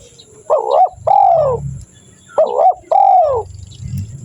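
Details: Spotted dove call for luring wild doves: two phrases, each a short wavering double note leading into a longer, slightly falling hoarse coo, with low rumbling noise between them.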